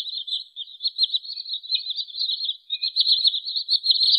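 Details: Wood sandpiper calls played as a trapping lure, heard as an unbroken run of high, quick chirps that waver slightly in pitch and loudness throughout. The background is clean.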